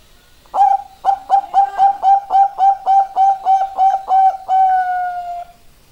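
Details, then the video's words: Zebra dove of the Bangkok type, a young bird, singing a fast series of about eleven short, bright cooing notes, roughly one every third of a second, ending in a longer drawn-out tone; indoor setting. "suara perkutut bangkok junior bagus"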